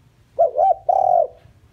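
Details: Lure call of a decoy spotted dove meant to attract wild doves: a brief looping coo, a second rounded coo, then one long steady coo dropping slightly at its close.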